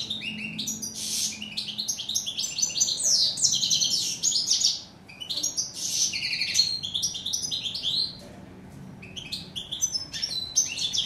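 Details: European goldfinch, called chardonneret in French and steyla in Morocco, delivering a long, fast, liquid song of tinkling twitters, buzzy rolls and sharp chips, broken by two brief pauses before resuming.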